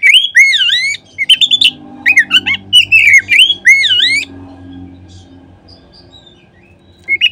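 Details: Oriental magpie-robin (kacer) song used as a lure to make other magpie-robins sing: loud, clear whistled phrases with rising and falling slurs, given in quick bursts for about four seconds, then a pause and a brief new phrase, over a low hum.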